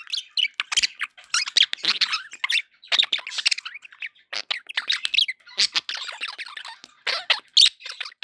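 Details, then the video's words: Happy budgies keeping up a lively, almost unbroken chatter of sharp chirps, clicks and warbled squeaks. "happy budgie sounds"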